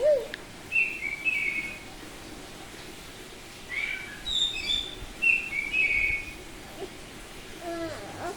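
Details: Bali-type oriental magpie-robin, semi-tame, giving ngeplong song: scattered short high whistled phrases with long pauses between them, over a steady noisy background.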